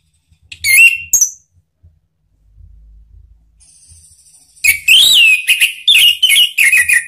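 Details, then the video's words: Orange-headed thrush song meant as a lure to prompt other birds to sing: two short sharp whistled notes, a thin high steady tone, then a loud run of rich, varied, warbled and rattling phrases. "ANIS MERAH manapun jadi NYAUT NGEPLONG dengan SUARA ini ¦ PANCINGAN AM"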